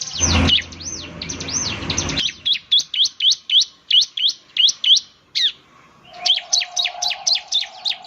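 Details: Bar-winged prinia singing in rapid 'nembak' fashion, said to prompt other prinias to sing: a long series of sharp, high, down-slurred chirps about four per second, with a low thump at the start and a hum near the end.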